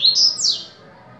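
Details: Viviti song type of the coleiro baiano, the yellow-bellied seedeater: a clear high whistle that climbs, holds, then swoops down sharply in one brief phrase, with faint low noise behind.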